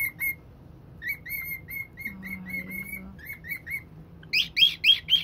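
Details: Elderly pet cockatiel, said to be 77 in human years, reacting to a box it hates, recorded October 2, 2021; short whistled chirps near one pitch repeated, then a burst of harsher squawky notes at the end, faint low hum behind.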